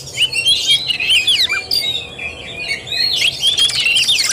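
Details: Oriental magpie-robin singing in fighting style (tarung) on 17 August 2021, pouring out fast varied whistles, slurred downward notes and scratchy trills with a steady low background hum.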